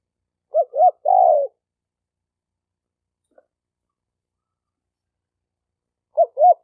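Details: Male spotted dove's mate-attracting call, 2020. A clipped pair of arched coos and a longer coo sound early on. After a long silence, two more arched coos begin at the very end.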